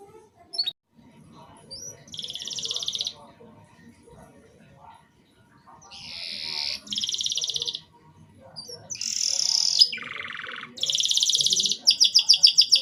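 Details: Broken canary song to stimulate young canaries: separated bursts of buzzy trills and rattles with quiet gaps and faint background noise, ending in rapid repeated notes.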